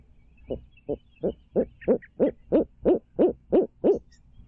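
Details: At a nest in Midtown Tulsa, a barred owl gives a steady run of eleven hoarse hoots, about three each second, recorded on a nest stream cam with a quiet background.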